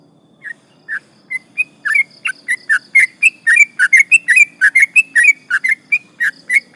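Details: Sooty-headed bulbul starting a long 'ropel' song used to provoke rivals: a few spaced chirps build into a fast, bubbly run of whistled notes, about three to four per second, over a quiet low hum.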